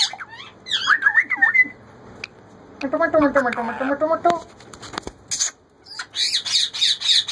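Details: Female Indian ringneck parakeet saying "roti dedo", asking for bread: sliding, whistle-like talking phrases at the start, then a low human voice speaking, followed by a burst of harsh, rapid squawks at the end.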